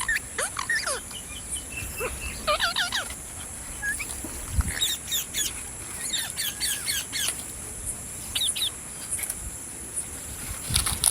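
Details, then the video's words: Parrot making harsh squawks and sharp chirps in scattered bursts, busiest around two and a half and seven seconds, with a steady high-pitched tone underneath. "Parrot Sound Videos | Parrot Sounds | Parrot Video | Talking Videos Compilation"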